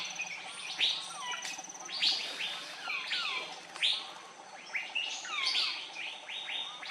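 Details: Andaman bulbul (Pycnonotus fuscoflavescens), close-up on Andaman Island, India, in March 2020: bright, chirpy notes, some sliding down and some rising, in busy overlapping bursts about once a second, over a steady background hum.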